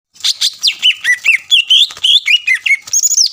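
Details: Greater green leafbird in lively, vigorous song used as a lure to provoke rival birds into answering: rapid run of high whistled notes, slurred, rising and falling, some buzzy, ending on a higher sustained phrase.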